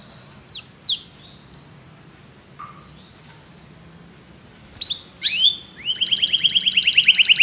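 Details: Belgian canary giving scattered sharp chirps and slurred notes with pauses, then launching into a fast, regular trill of bright repeated notes.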